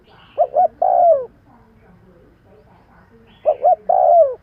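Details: Lure call of a spotted dove: two phrases, each two brief soft coos followed by a long downward-sliding coo, separated by a quiet gap.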